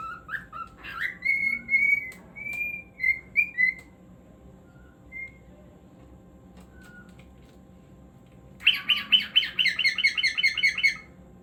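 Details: Cockatiel song from a pet bird: a run of clear rising and level whistles, then a pause with a couple of soft notes, ending in a fast burst of harsh, buzzy repeated chirps.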